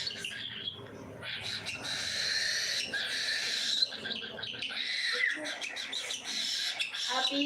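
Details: Several cockatiels at feeding time keep up a dense, continuous chorus of shrill, buzzy screeches, overlapping and rapidly repeated, with clicks and small knocks mixed in.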